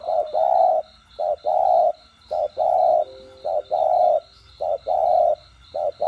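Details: Spotted dove cooing in the 'đồng gù + thúc' voice, used to excite trainee captive birds. A brisk regular series pairs a clipped hoot with a long level coo, five times in a row. A faint steady tone and a pulsing background buzz are also heard.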